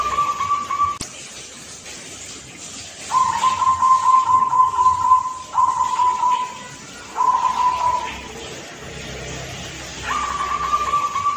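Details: Young local zebra dove from Blora, Indonesia, with a song ending on a 'kung' note, phrased 'klar ke te kung'. It gives a series of steady, mid-pitched cooing notes, each held about one and a half to two seconds, with short pauses between them.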